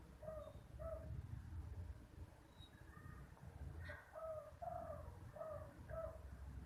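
A spotted dove gives soft, low cooing notes in short phrases, repeated several times over a steady low rumble of background noise.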